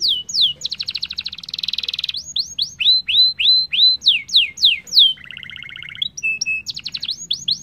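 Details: Singing canary, played to encourage other canaries to sing: fast trills, a buzzy rolling tour, sweeping whistles repeated about three per second, then a lower nasal buzzy phrase and more trills.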